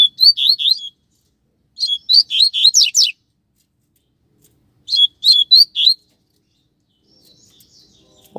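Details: Song of a Double-collared seedeater, one of a pair on the street: three bursts of rapid, high chirped notes, each burst about a second long with twisting downslurs, separated by quiet gaps.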